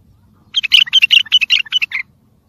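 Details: Bulbul singing in the tayyariyat sayhan style, a recording used to train and motivate birds: a brisk string of sweet, bubbling notes lasting about one and a half seconds, with silence before and after.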